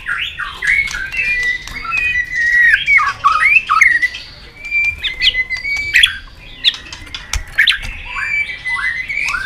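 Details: Excited White-rumped shama singing in a fighting duel: a continuous stream of fluty whistles, swoops and harsher slurred notes, punctuated by crisp clicks, fairly steady loudness throughout.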